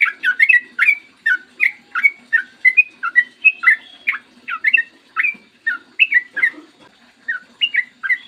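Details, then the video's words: Yellow-vented bulbul in lively, clear 'ropel' song, used as a lure to get bulbuls singing: fast series of bubbly, fluty notes in rhythmic clusters, slowing briefly near the end, over a low background hum. "PANCINGAN TRUCUKAN AGAR BUNYI burung TRUCUKAN GACOR ROPEL PANJANG"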